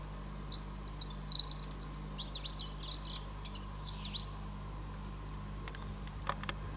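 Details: Bull-headed shrike recorded through a window screen, giving harsh, scratchy chattering bursts in two runs of rapid notes separated by a short pause, with a steady low hum and faint ticking behind.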